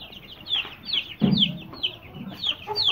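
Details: Aseel chicks, some 20 days to 2.5 months old, kept for sale, give a steady stream of high, thin, downward-slurred peeps, with a few lower clucks mixed in.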